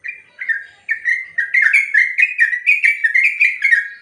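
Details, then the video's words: Sooty-headed bulbul (trucuk) in long ropel song for training other birds: a few separate whistles build into a tight, rolling series of slurred whistled notes, loud and clear. "Suara burung trucuk ropel panjang"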